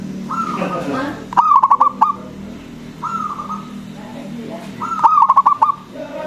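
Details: Local zebra dove with a big voice, singing to lure other doves into calling. Smooth drawn-out coos mix with two rapid rolling bursts of six or seven pulsed notes.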